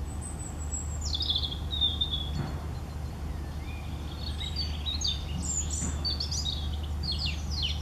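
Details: A European robin sings. A thin, very high whistle slides downward and levels off, followed by jumbled, tinkling high phrases with quick descending notes toward the end. A low hum runs underneath.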